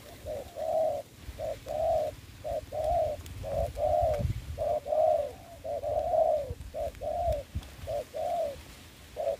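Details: Spotted dove used as a trapping decoy in Dong Nai, Vietnam, coos steadily in short paired mellow notes, nearly one per second, over a faint low hum.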